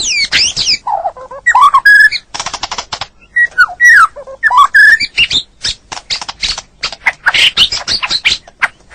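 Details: White-rumped shama, male, in a training recording for a stressed bird that has stopped singing: a jumbled mix of squeaky whistles, low warbles and harsh rattling bursts, ending in dense clicking, chattering phrases.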